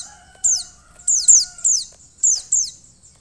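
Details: Female Mountain white-eye calling to stimulate a male into singing: short, very high, sharp downslurred notes, often in quick pairs, spaced by brief pauses, over a faint steady low hum.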